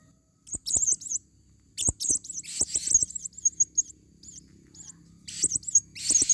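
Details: Blue-crowned hanging parrot, female, recorded for luring in the forest. Nearly continuous shrill, warbling squeaks rise and fall in pitch, with short clicky notes mixed in and brief pauses.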